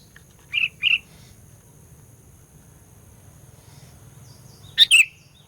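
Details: Sooty-headed bulbul lure song used to provoke rival bulbuls: two short paired chirpy notes near the start, a quiet gap, then a louder double note with a bright rising-falling second element near the end, over a low steady hum.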